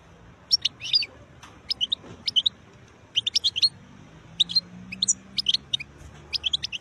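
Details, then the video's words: Wild European goldfinch song: short clusters of high, bright twittering notes in separated bursts, each lasting about a quarter second with brief pauses between, over a quiet low background hum. "تغريد حسون خلاوي نوطات جميلة"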